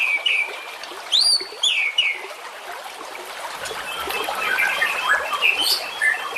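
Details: White-rumped shama song for training competition birds: several clear, looping whistles at the start, then a denser jumble of quick, twittering notes over rising background hiss.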